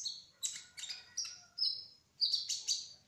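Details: Kolibri ninja trotol sunbird singing in rolling style: bright, high, slightly buzzy notes in short bursts roughly every half second, with a drawn-out whistle in the middle.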